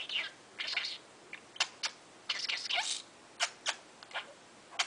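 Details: Baby male parakeet chattering its learned words in the morning, a quieter string of short, sharp, speech-like bursts and clicks spaced unevenly about every half second against a faint background hiss.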